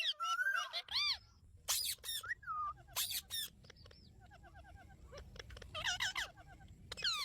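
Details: Indian ringneck parrot kept as a pet, talking with its owner: a busy mix of arched whistled notes, sharp clicks and brief squeaky bursts, with a soft rumbling background throughout.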